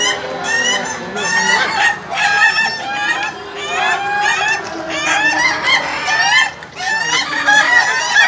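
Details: Laughing chicken roosters crowing continuously at an Indonesian contest final, with layered, wavering crows of quick chattering notes rising and falling, and several birds calling at once.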